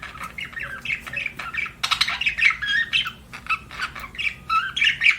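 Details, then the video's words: Pet budgerigar chirping in fast, uneven chatter: clicks, squeaky whistles and scratchy warbled notes tumbling together, with a short dense burst midway. "BUDGIE CHIRPING SOUNDS"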